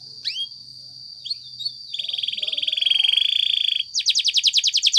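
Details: Spanish Timbrado canary training song with a couple of swept notes, then a sustained buzzing rattle held over two seconds, then a fast series of sharp repeated notes.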